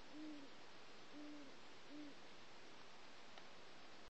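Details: Owl calling at night in countryside woods: three soft, low, slightly arched hoots about one second apart, then silence, over a steady background hiss.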